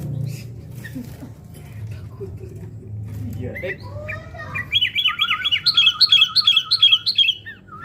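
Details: Sooty-headed bulbul (kutilang) in fight-mental training, after a quiet start with soft chirps delivering a loud run of repeated bright, looping whistled notes around the four-second mark, with a lower warbling line underneath and a low hum throughout.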